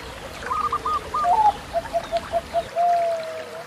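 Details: Zebra dove (perkutut, Bangkok or local type) song, used as a training therapy for young birds: opening cooing notes, then a quick series of short rolling coos ending in one long drawn-out coo, over a faint steady hiss.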